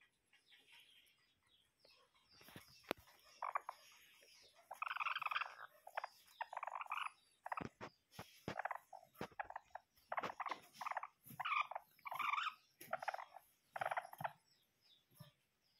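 A bantam chicken gives harsh, croaky squawks in quick bursts, with sharp clicks and knocks between them.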